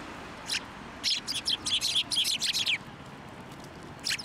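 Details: Sparrows at a shrine in December, flying onto a hand for food: a burst of quick, high chirps clustered over about two seconds, then a pause and one more chirp, over steady low background noise.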